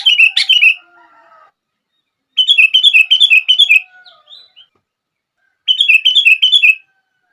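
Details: Sooty-headed bulbul song aimed at making other bulbuls sing: three phrases of fast, rolling, repeated whistled notes, the later two longer and evenly rhythmic, separated by pauses of about two seconds.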